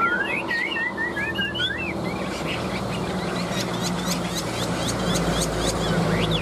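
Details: Tame Chinese hwamei with yellow legs and bill gives a couple of seconds of looping, slurred whistled phrases, then fainter notes over a steady rumbling background like traffic.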